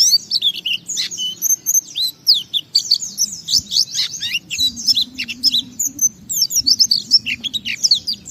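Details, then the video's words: Energetic white-eye (pleci) song in ngalas gacor style, played to provoke other white-eyes: tumbling high twitters and sharp descending chirps in near-continuous bursts, with brief pauses between phrases. "Suara Burung Pleci ini Raja Menggoda Semua Pleci cepat Ngalas Ngeplong Gacor"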